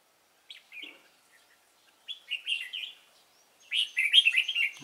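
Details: Red-whiskered bulbul of the Cánh ruồi type during trapping on 3 March 2017: a soft opening chirp, then a rolling warbled phrase, and a louder, rapid run of jumbled notes to finish, in a quiet setting.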